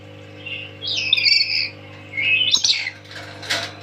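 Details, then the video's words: Tame lory, described as loud and dancing, giving three bursts of harsh, buzzy and whistled chatter. Each burst lasts about half a second, with a sharp click between the last two, over a steady low electrical hum. "Kicauan Nuri"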